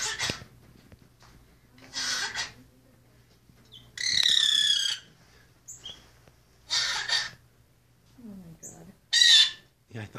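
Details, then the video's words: A common grackle at Willowbrook Wildlife Center, Glen Ellyn, Illinois, on 2 January 2017 gives harsh, breathy, cough-like bursts, mistaken for a man coughing, roughly every two seconds, some with a thin squeaky whistle on top. "Grackle's Coughing Sound"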